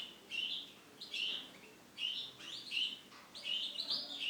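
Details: Male canary giving clear high chirping phrases about once a second, some with quick sliding notes, against quiet background hiss.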